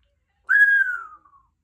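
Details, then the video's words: A three-year-old female Congo African grey parrot, kept at home and practising her words and sounds, gives one clear whistle that holds steady, then slides gently downward and fades. The room is otherwise quiet. "African Grey Talking Parrot while she practices her words and sounds"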